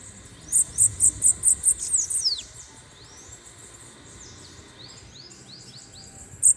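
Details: Bananaquit in full song: a fast series of thin, very high pulsed notes ending in a descending slur, followed by softer rising wheezy notes and one last high note, with a quiet background.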